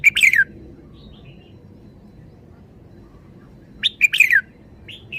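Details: Red-whiskered bulbul with two loud bursts of cheerful, fast, descending whistled notes separated by a long near-silent pause, with a soft warble trailing at the end.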